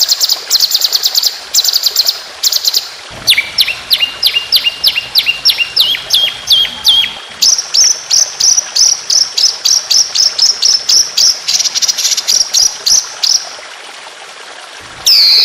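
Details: Competition white-rumped shama in long 'roll speed' shots: clipped bursts of high notes, then a descending ladder of clear whistled notes, followed by a fast, piercing, evenly repeated series lasting several seconds.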